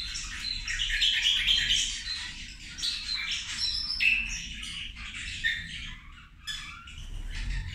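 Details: Several zebra finches calling over their lunch: a continuous jumble of bright, nasal, tinny notes and brief squeaks from many birds, fading slightly toward the end above a faint low rumble.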